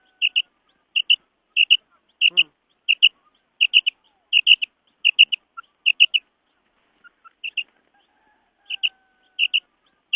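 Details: Calling female quail giving bright, high double notes repeated at a quick, fairly even pace, with a short pause late on and one brief lower buzzy sound early in the sequence.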